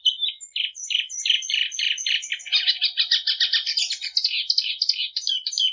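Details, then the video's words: Patativa, the plumbeous seedeater, singing a continuous fast series of short chirped notes that accelerate into a dense, rattling twitter midway, high and bright throughout, clean with no background noise. "Canto da patativa"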